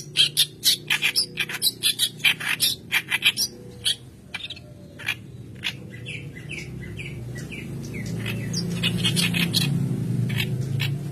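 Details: White-browed kerak basi singing vigorously as a lure for training young birds: rapid harsh chattering bursts for four seconds, then a run of clear downslurred whistled notes over low background hum.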